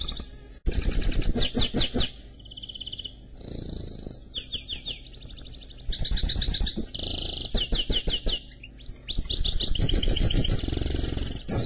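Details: Canary-goldfinch mule in full song, stringing together rapid rattling trills, pure whistled notes and buzzy rolls in quick succession with brief gaps, against a persistent low-pitched background rumble.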